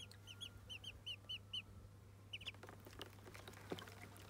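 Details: During their first bath, Muscovy ducklings peep in a steady run of short, high, slightly down-slurred notes about four per second. The peeps give way to splashing and scattered softer peeps.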